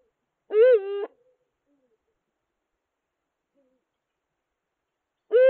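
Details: Eurasian eagle-owls courting in the 2022/2023 season, a new male paired with a female soon after she lost her old partner, so courtship began unusually early. Two loud, harmonically rich, arched calls, each about half a second, the second at clip's end, with silence between.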